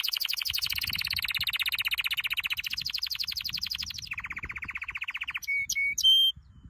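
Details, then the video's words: Training song from a canary: long fast rolling trills that drop in pitch partway through, ending with a few separate clear whistled notes. "Your canary will NEVER STOP SINGING With this training song"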